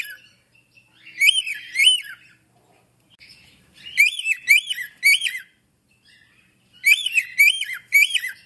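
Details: African grey parrot giving three bursts of two or three harsh, rising-and-falling modulated syllables, each burst separated by a few seconds of near silence with faint softer notes between.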